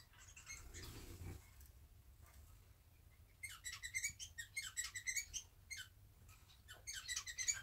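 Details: Soft rustling at first, then a burst of quick, high chirps from a pair of pet society finches sitting pressed together and grooming after bathing indoors. The chirps come in uneven clusters over a faint low hum.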